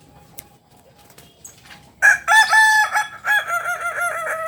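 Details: After two seconds of near silence, a biriang kuniang Kukuak Balenggek rooster, native to Solok, West Sumatra, bursts into a loud crow. A drawn-out opening gives way to a rapid run of short, evenly stepped syllables, like a staircase of notes.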